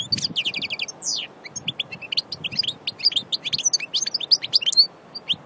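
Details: European goldfinch from nature at Aïn Barbar, Annaba, opening with a rapid even trill of repeated notes and a sweeping slur, then a continuous bright, liquid twitter of high chirps over a quiet background.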